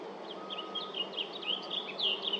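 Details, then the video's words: A blue grosbeak sings at LaFarge Sandpits, July 8th, 2024, giving a fast, continuous warble of slurred high notes, some swooping down and up, over constant low background hiss. "Blue Grosbeak singing"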